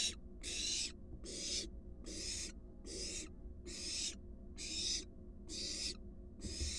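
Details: Wild barn owl at a monitored nest box, an adult bringing a large rat to its fledgling. Harsh, breathy hissing screeches, about eight half-second bursts in quick succession, over a steady low hum.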